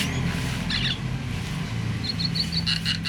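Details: Myna calling to get other mynas singing: a brief tangle of notes, a quiet pause, then a string of short clipped whistles repeated about every fifth of a second, set against a low steady hum.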